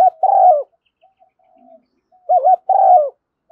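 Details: Decoy spotted dove cooing meant to lure doves and make a decoy bird respond quickly; two loud phrases about two seconds apart, each a warbled double note followed by a drawn-out descending coo, with faint soft coos in the gap.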